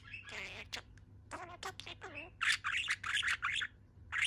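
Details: Cheerful pet budgerigar perched on one leg, babbling indoors: harmonic warbled notes early, then a burst of buzzy, scratchy chirps in rapid groups, ending in a short squawk.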